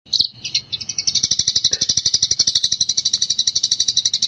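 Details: Eurasian tree sparrow on a master recording for training other birds: a few high chirps, then a long, fast, steady trill of harsh buzzy pulses, about fifteen per second.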